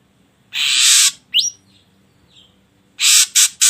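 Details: Ashy drongo song played to make other birds sing: a long harsh rasp, a sharp upswept whistle, then a faint slur and a cluster of short rasping notes.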